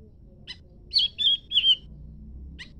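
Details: Leafbird singing in answer to a scarlet minivet: three short, clear whistled phrases in quick succession, each slurring downward, framed by faint brief high notes before and after, over a quiet background.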